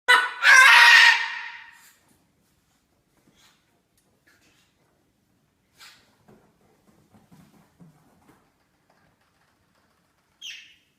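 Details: Jealous pet cockatoo reacting to affection shown to a newly arrived parrot. It opens with a loud, harsh screeching outburst lasting about a second and a half, then faint rustles and soft sounds, and ends with a short squawk.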